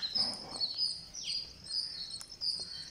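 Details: High, thin chirping from a green parakeet at feeding time on day 49. One call slides quickly downward, and soft low rustles are heard underneath.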